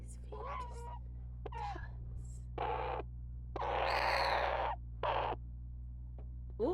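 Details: A month-old baby common raven, full of food and tired, gives three harsh, raspy, drawn-out squawks, the longest about a second; these are its tired, not hungry, sounds. A woman talks softly before them, and a steady low hum runs underneath.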